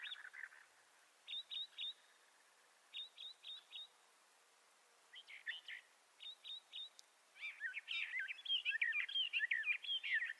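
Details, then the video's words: Song of Bendire's thrasher: short clusters of three or four quick clipped notes separated by pauses, then a long, rapid, jumbled warbling run of scratchy and whistled phrases in the final seconds. "Bendire's Thrasher Bird Song"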